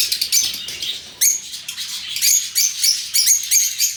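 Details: Lovebirds in an open aviary: a jumble of scratchy chatter at first, then loud shrill chirps that rise quickly, roughly one every half second, mixed with softer twittering.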